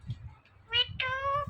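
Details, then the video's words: Pet Indian ringneck parrot talking, one of two talking parrots: two short harmonic, nasal word-like calls, the second held and gently wavering, over a low background rumble. "Compilation Of Two Best Talking Parrots"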